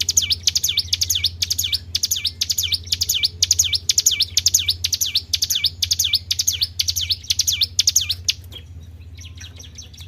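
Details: Tribel bird lure call used to attract other birds: rapid high paired V-shaped chirps, sharply falling then rising, repeated steadily about twice a second for eight seconds before fading, over a low steady hum.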